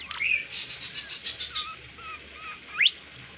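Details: Bimoli singing in lively masteran form: a bright high whistle opening into a soft trilled run, several low slurred notes, and a single sharp rising sweep near the end, with faint background hiss.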